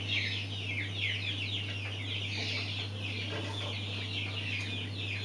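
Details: Mountain quail chicks produce a busy chorus of short, sharp peeps, some slurring downward, packed closely together over a faint low hum.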